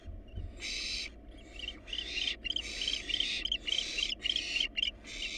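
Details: Wild barn owls at a monitored nest box, adults on the box and nestlings within; near-continuous raspy hissing broken into rapid uneven bursts, with a slightly tonal wavering edge, over low steady hum.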